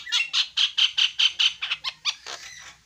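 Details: Javan myna giving a steady series of squawky, nasal notes with a whistled core, evenly spaced, fading into a longer rough note at the close.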